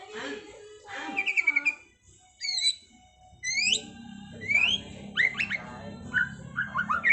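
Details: White-rumped shama in trontolan ngeroll style: a chattering opening, a pause, then loud upward-sweeping whistles and quick rolling note series over a faint low hum.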